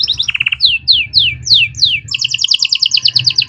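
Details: Canary master song for young birds: a short trill, then four drawn-out descending whistled sweeps, followed by a rapid high rolling trill, over a faint low hum.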